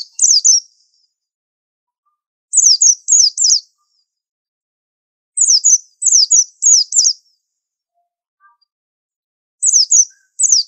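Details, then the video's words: 'Super antik' pleci, a white-eye master with a unique song: bursts of three to four shrill, descending chirps in quick succession, the groups repeated every few seconds with clean silence between. "Pleci super antik masterannya harus unik"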